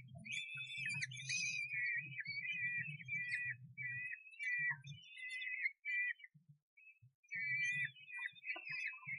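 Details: Common kestrel at a nest box camera in Sussex, 1 June 2011: series of short, sharp chittering notes in quick runs, separated by gaps, with bursts of low rumbling hum between them.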